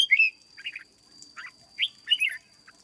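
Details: Cage-kept red-whiskered bulbul being conditioned as a lure bird, giving a rapid run of slurred, bubbly notes in short clusters, steady high electrical whine underneath.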